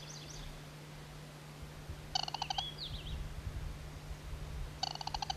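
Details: A Band-bellied Crake north of Vladivostok around 18 June 2000 gives two short, dry rattles of about ten quick clicks, a few seconds apart; thin whistles from another bird and a steady low hum behind.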